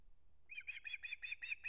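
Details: Adult male Osprey at a Kurzeme, Latvia nest, delivering a whole fish to the chick on September 3, 2024: a steady string of seven sharp, high chirping whistles, each about a quarter second apart, over soft background hum.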